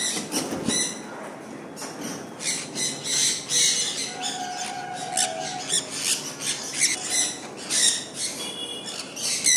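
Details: Sun conures enjoying the rain, a busy mix of harsh, metallic screeches from several birds overlapping one another, backed by rain patter.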